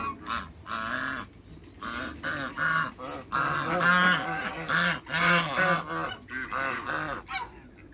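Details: Flock of African geese honking as they meet other farm waterbirds; loud, buzzy, harmonic honks overlap in bursts, several birds calling at once with short gaps between volleys.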